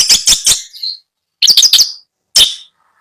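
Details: Caged long-tailed shrike (cendet) at a bird seller in Bondowoso, giving three quick harsh, scratchy notes, a short pause, a burst of four rasping notes, then a single grating call; no other sounds.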